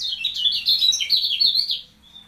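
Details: Caged kecial kuning (white-eye) being trained by placement beside another bird, singing a continuous, fast, high, warbling twitter of slurred notes that fades after about two seconds into a single thin whistle.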